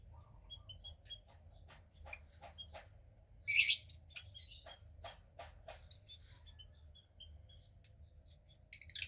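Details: Cockatiel chick, female, roughly 15 days old and hatched second to a pied pair, makes a run of soft clicking ticks and faint peeps, broken by one loud raspy shriek midway and another at the end.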